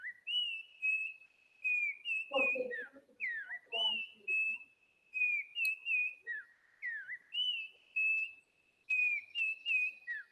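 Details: Yellow-backed Oriole (Icterus chrysater) from the Antioquian mountains, a local dialect song: clear, fluted whistles in short phrases of level notes and down-slurs, repeated every few seconds; brief low murmur early on.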